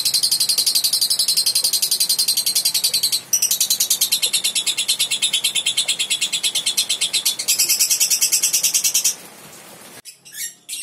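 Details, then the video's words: Young lovebird (balibu) in long ngekek song, a continuous, very rapid, high-pitched chattering trill running for about nine seconds with one brief break, ending abruptly, followed by a quiet clicking noise. "TERAPI SUARA LOVE BIRD BALIBU GACOR NGEKEK PANJANG"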